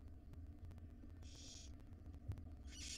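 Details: Nest-box barn owl young, five wild owlets, beg from their mother at breakfast time; one drawn-out hissing rasp is followed by the start of another, over low steady background hum.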